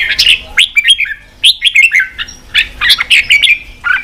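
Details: Red-whiskered bulbul song intended to rouse wild-caught birds to fight: clear, cheerful whistled phrases of three to five quick notes, delivered in bursts roughly every half second, with clean quiet gaps.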